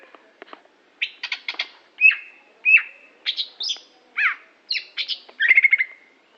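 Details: Competition greater green leafbird from Aceh in continuous song: clusters of sharp chips, drawn-out whistled notes, downward slurs and rapid trills in quick succession, clean recording.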